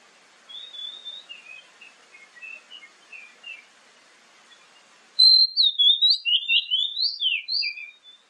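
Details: Lure song of an Oriental magpie-robin, played morning and evening so other magpie-robins answer. Gentle, distant whistled chirps build into a loud, rapid sequence of bright, varied whistled notes.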